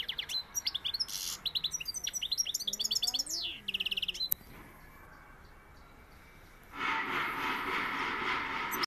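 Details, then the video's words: European goldfinch of the Sevillian type: high, quick twittering and trilled phrases for about four seconds, then a lull and a steady broadband hiss of noise to the end. "Jilguero sevillano"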